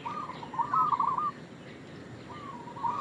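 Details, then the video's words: One rich, bubbling coo phrase from a local Indonesian zebra dove used as a lure, followed by the start of the next coo. "Perkutut lokal gacor suara pancingan"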